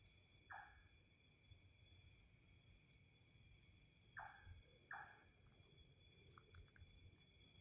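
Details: Mysterious unseen bird with an odd call, monitored for a long time: brief descending notes, one single and then a close pair, over continuous insect buzzing and high steady tones.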